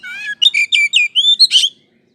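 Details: Oriental magpie-robin song to provoke a response from a slow-to-warm-up bird: a low whistle followed by a quick series of rich warbled notes and a final buzzy chirp.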